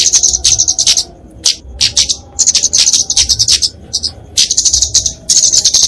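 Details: Flowerpecker singing a fighting song meant for tutoring and luring songbirds, with dense high-pitched twitters broken into short bursts separated by brief gaps, plus a faint low hum underneath.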